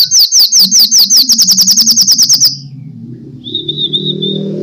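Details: Sunbird kolibri tarung fighting song, a lure for training birds: a fast series of about seventeen sharp, high, downslurred chirps that quicken toward the end, then a faint thin warble over a low background rumble.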